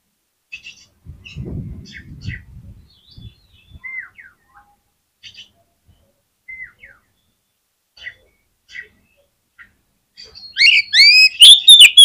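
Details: Oriental magpie-robin song meant to provoke rival magpie-robins into singing: sparse quiet chirps and short descending whistles with a faint low rumble, building at the end into a loud flurry of rapid, strident whistled notes.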